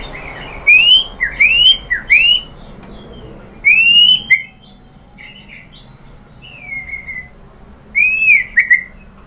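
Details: White-rumped shama from Indonesia, its song played to make a caged shama respond: scattered clear whistled upslurs and short chips in small clusters, separated by quiet gaps.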